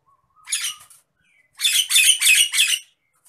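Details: Worked-up Nias hill myna giving one rasping squawk, then four fast, loud, harsh calls run together in a tight burst.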